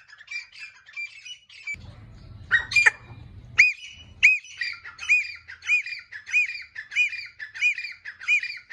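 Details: Francolin (teetar) calling: a rapid series of shrill, squawky, arched notes repeated about every two-thirds of a second. A brief burst of low rumbling noise and a loud crackle interrupt the calling near the middle.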